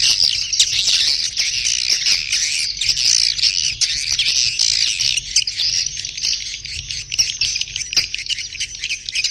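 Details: Chorus of swiftlets making their mating call: sustained high, hissing chatter with quick clicking chirps mixed through it, steady throughout.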